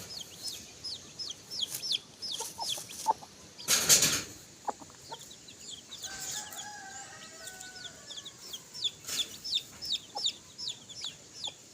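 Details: Free-range chicks play and feed on the ground beside their mother hen near a coop before dusk. High falling peeps repeat rapidly throughout, with a loud rustling burst early and a longer, lower drawn-out call midway.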